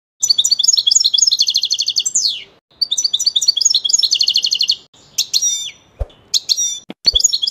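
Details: European goldfinch singing: rapid, dense twittering phrases of tinkling, buzzy notes in two long bursts, each ending in a quick descending slur, followed by sharp separated chirps and upward-sweeping whistles. No other sounds are prominent.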